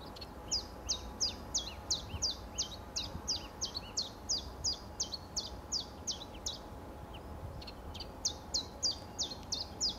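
Common chiffchaff repeating high, sharp 'chiff-chaff' notes about three per second, with one brief pause partway through. Faint steady background noise.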